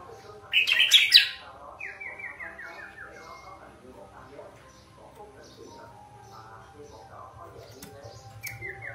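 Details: Sooty-headed bulbul with a clear, strong voice: after a loud harsh burst, a cascade of quick falling notes runs downward, then faint scattered notes and a short descending run at the end.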